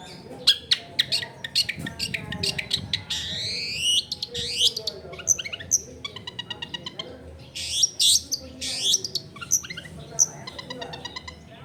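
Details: Long-tailed shrike in full song, played as a lure to coax other shrikes into singing, recorded in a densely populated area: a rapid, varied run of sharp chips, buzzy sweeps and rattling notes with faint domestic background noise.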